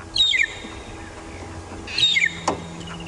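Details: At sunrise on Djuma in dry conditions, a magpie shrike calls while hidden in a young leadwood after rollers attacked it, possibly over food. It gives two short, clear whistled phrases about two seconds apart, each dropping in pitch, over a faint click and low hum.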